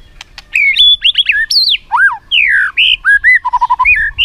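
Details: White-rumped shama delivering a varied "isian" song used to set other shamas singing: a fast stream of loud, clear whistles sweeping up and down, rich slurred phrases and a quick run of repeated low notes near the end.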